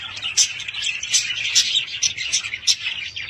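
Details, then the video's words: Budgerigars chattering: dense, rapid warbled chirps and squeaky twitters, with sharper high peaks about every half second. The sound runs continuously. "Budgies sound"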